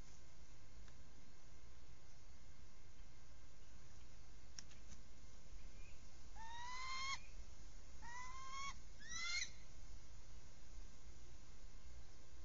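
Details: Adult female bald eagle at a monitored nest, calling as the male joins her: three series of high, thin, rapidly stuttered chirping notes, each sliding upward, around six to nine seconds, over steady background hum.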